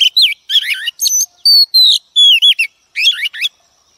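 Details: Female Oriental magpie-robin, a wild-caught bird, sings a varied, loud, distorted phrase to stimulate males: twisting chirps, two long falling whistles, then rapid jumbled notes.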